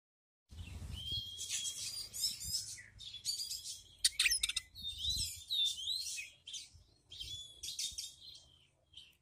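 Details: Oriental magpie-robin kept as a home bird, singing a loud varied song of rapid chattering trills and bursts mixed with clear slurred whistles, with a low hum underneath.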